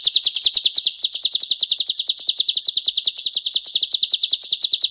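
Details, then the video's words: Male golden-bellied gerygone singing vigorously, used as a tutor recording for training birds: a high, thin, rapid trill of sharp notes, about six to seven per second, running unbroken through the clip with no other sounds. "SUARA BURUNG CIU KUNYIT JANTAN GACOR"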